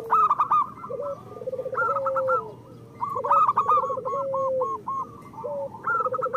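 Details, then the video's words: Zebra doves, a local Indonesian strain, singing persistently as a training model for sluggish or moulting birds. Rhythmic bursts of short clipped coos repeat in rolling runs, with higher and lower voices overlapping in a steady, chattering pattern. "Perkutut lokal gacor Masteran Perkutut Suara Kristal"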